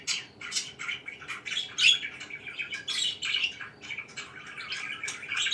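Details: Chirping of pet budgerigars in the morning: bursts of squawky chirps and chattering warbles rise and fall irregularly, with a brief shrill note near the middle.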